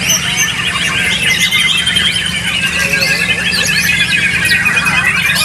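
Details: White-rumped shama singing in a songbird contest in Pangandaran, where it placed third: dense, varied high whistles and quick trills, possibly with other songbirds, over a low crowd murmur.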